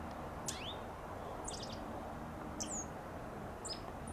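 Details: Dark-eyed Junco in a blooming Bougainvillea vine gives chip calls: four sharp, high chips, each a quick downward flick, about one per second, over a steady low background rumble.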